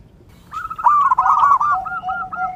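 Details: Zebra dove (perkutut) song for training and luring: a burst of rapid looping coos that slows and drops to lower, evenly spaced notes.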